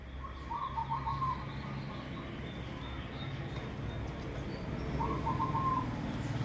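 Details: Crossbred zebra dove delivering its melodious song: two short bursts of rapid rippling cooing notes about four seconds apart, steady mid pitch, with a constant low hum underneath.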